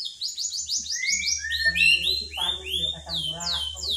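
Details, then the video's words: Magpie-robin singing in its own voice and repeating the phrase "Pak Jokowi": a run of high, sweeping whistles and chirps, then lower buzzy notes, with a steady low hum underneath. "Murai Ngocehnya panggil Panggil "Pak Jokowi""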